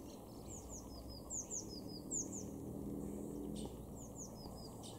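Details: Eurasian blue tit calling in a garden in Weener, East Frisia, in Germany's far northwest, in April: thin, high, downward-slurred notes in short clusters, with a steady low hum and background noise beneath.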